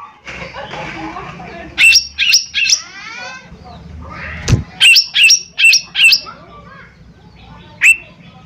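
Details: Lesser green leafbird (cucak ijo mini), gacor song used as a lure: soft warbling, then bursts of sharp high notes, three and later five in a row, ending with one isolated note; a single thump midway.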